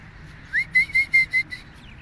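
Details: One of two Alexandrine parakeets walking in a park gives a quick run of five clear, ringing notes, each slightly rising then level, delivered in under a second against a quiet background.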